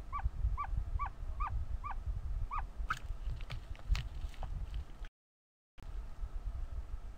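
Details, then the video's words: Ostrich chick calling during hatching; a series of arched peeps for about three seconds, followed by sharp clicks and knocks, with low rumbling noise throughout. "Very Vocal as he hatches"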